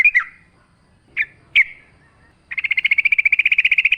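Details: ['Lure recording of a yellow-vented bulbul singing actively in wild forest style with natural sounds. A few slurred notes open, then a long steady rapid trill of evenly repeated notes runs for over a second.']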